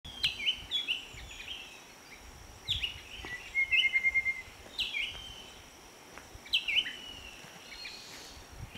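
Striated bulbul giving short, bright chattering phrases in bursts every couple of seconds, with a steady high insect hum and soft background hiss.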